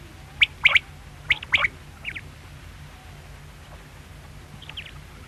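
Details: Quail calling with a few short, sharp high notes, two close pairs then a softer pair after a pause, over a low steady hum.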